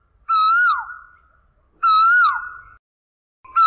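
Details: Asian koel giving loud, clear whistled calls that swell upward and then drop, repeated at regular intervals about every one and a half seconds, a third call starting at the end.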